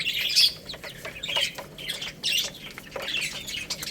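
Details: Chicks eating rice, giving loud high peeps about once a second, each a short downward-slurred note, amid soft pecking sounds.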